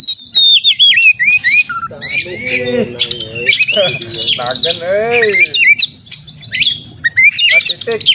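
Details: Fighting-style song of an Oriental magpie-robin for provoking caged birds in a simulated contest; varied whistles and trills open, then lower wavering harmonic warbles in the middle before high chattering phrases return.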